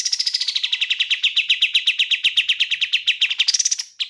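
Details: Bar-winged prinia song, clean training recording: a fast, even trill of rapidly repeated mid-high notes, about four per second, runs steadily for over three seconds, then rises briefly before ending.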